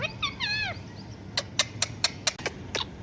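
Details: Talking parrot imitating a cat: a quick stammered string of bending, meow-like notes, followed by a steady series of sharp clicks, about one every quarter second.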